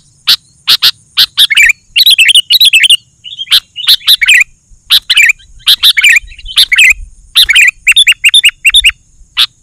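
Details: Lively sooty-headed bulbul song used to lure wild and caged bulbuls: bursts of sharp chirps mixed with quick bubbly, warbling phrases, clustered in groups separated by short pauses, with a steady faint high-pitched whine.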